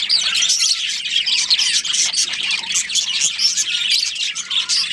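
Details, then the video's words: Colony of budgies including a breeding pair keeps up a busy, unbroken chorus of shrill twittering and warbled chirps, steady in loudness, with a soft low drone underneath. "Cute Budgies Chirping Sounds"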